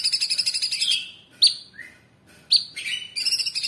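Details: Short passage from a caged Orange-bellied Leafbird's 'tembakan' training song: a high buzzy trill, a sharp whistled note, a lower slurred whistle, then another chirp and a renewed trill.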